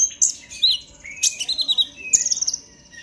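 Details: Purple-throated sunbird (konin) in agitated 'ngobra emosi' chattering song, played as a lure to get other birds singing: high, thin twittered phrases with sharp rising and falling notes in three bursts, brief pauses between.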